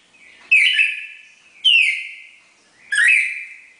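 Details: Red-crested cardinal pair in the classic four-note Bagé song: three strong slurred whistles, each dropping sharply then drawn out on a steady tone, about one and a quarter seconds apart, in a quiet setting.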